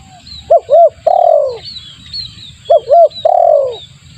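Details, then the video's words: Spotted dove lure call given twice in quick succession: two short arched coos, then a long downward coo, while thin high chirps from other birds continue throughout. "suara pikat tekukur bagus untuk pancingan"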